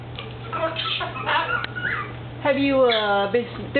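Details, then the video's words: A pet cockatoo named Angel talks in short, raspy, human-like bursts that end in a long, wavering, drawn-out word, alongside a person's voice; he mimics phrases like "stop it" and "ouch" and laughs. "COCKATOO BRAGGING ABOUT BITING !!! He will Tell u that ..HE BITES"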